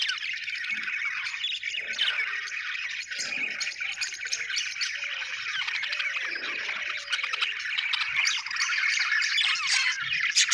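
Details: Budgie flock chirping continuously, a crowded mix of warbles, clicks and quick high squeaks, growing slightly louder towards the end.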